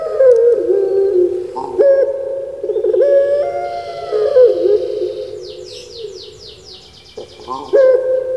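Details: Kept puter pelung turtle dove from Java, Indonesia, delivering long, steady, droning coos with sharp upward breaks between phrases and a buzzy rattled passage near the middle.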